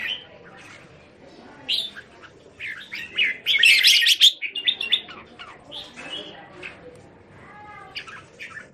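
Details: Kept red-whiskered bulbuls at a home in Thailand, January 27, 2021: scattered short whistled and chirped phrases with quiet gaps, rising to a loud burst of overlapping chatter midway, then sparse notes again.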